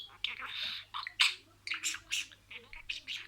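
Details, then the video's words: Budgerigar imitating words: voice-like, breathy syllables mixed with scratchy high chirps, in short phrases broken by brief gaps. "SIRALI KELİMELER, MUHABBETKUŞU SESİ,MUHABBETKUŞU KONUŞMA SESİ DİNLE"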